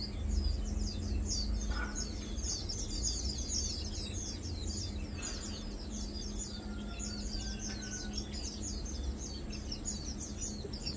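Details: Lowland white-eye feeding, recorded 2 August 2022: a steady stream of thin, high chipping notes, many overlapping, over a constant low hum and a faint high background hiss.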